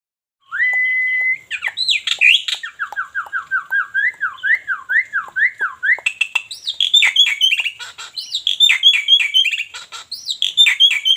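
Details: Black-winged myna from Cianjur singing a varied song: a steady whistled note, then rapid descending slurred whistles repeated in a series, followed by harsher rising notes with buzzy, chattering elements.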